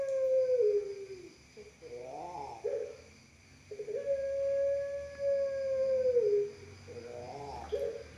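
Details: Long call of a Pelung dove, used to prompt other doves to coo. A steady, drawn-out hollow coo falls at the end and is followed by a rolling, wavering phrase. The pattern repeats twice over a faint background hum.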